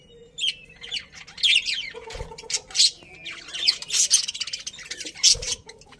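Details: Happy budgerigars in a colony chirping: bright warbled phrases and sharp high chirps in overlapping bursts, with a few lower dull knocks in the background.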